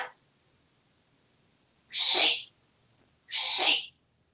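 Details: Pet African grey parrot, a talkative male hatched in 1997, living in a home in Texas; two breathy, hissing high-pitched squawks about a second and a half apart, in a quiet room.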